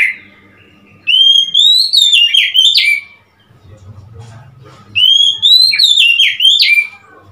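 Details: Oriental magpie-robin, 3 March 2021, singing two bright phrases of rising whistles and quick chirping notes, each about two seconds long and separated by a quiet gap with faint low rumble.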